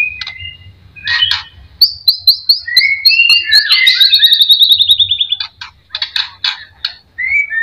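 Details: White-rumped shama song used as a lure to provoke singing: varied rich whistles, a fast series of repeated bright notes sliding slightly downward, interspersed with lower warbled phrases and sharp chips.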